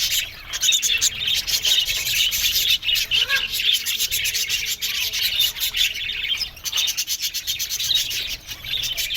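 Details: A colony of aviary budgerigars twitters and warbles without pause, shrill notes swelling and fading, with a few short breaks in the chorus.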